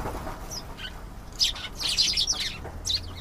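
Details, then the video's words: Canary song in short bursts: scattered high chirps early, then a louder run of rapid trilled notes in the second half, with a low hum underneath. "canary singing. beautiful canary sounds"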